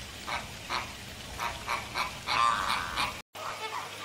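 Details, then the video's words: American flamingo giving a quieter series of short nasal honks, roughly three or four per second, with a louder burst near the end before a brief break. "Flamingo bird sound / call / noise | American"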